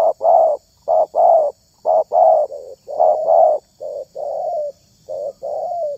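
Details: Spotted dove selected for its voice, cooing steadily with about a dozen deep, mellow notes in short-long pairs, repeated roughly once a second.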